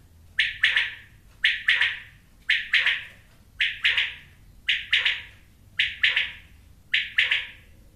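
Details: Quail repeating a crisp three-note phrase seven times at an even pace of about one per second, the notes sharp and clipped, with a constant low hum in the background.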